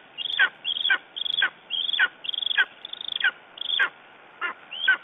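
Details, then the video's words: Lesser spotted eagle calling in the morning in Estonia on 9 June 2011: a steady series of high, sharply falling yelps, about two per second, each slurring downward, with a faint steady tone behind. "Lesser Spotted Eagle Estonia - Talking in the morninig"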